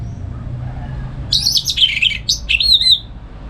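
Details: Caged orange-headed thrush in Singaraja, north Bali, singing gacor ngeplong morning song to prompt and teach other songbirds; a dense, loud burst of scratchy mixed notes, then a clear falling whistled phrase.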